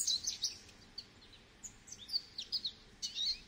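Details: Goldfinch singing: a quick run of thin, high, twittering chirps and tinkling notes in short bursts, fairly faint against a quiet background.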